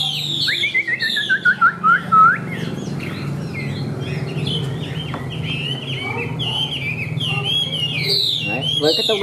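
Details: White-winged, white-tailed Chinese hwamei in a cage, a high-singing fighting bird: a quick descending series of whistled notes leads into a varied, rambling song of chirps, slurs and trills, over steady low background hum.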